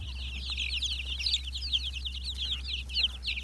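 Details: Black Mottled Brahma chickens recorded in 2020, giving busy, high-pitched chirps in quick succession from several birds at once, over a continuous low droning hum.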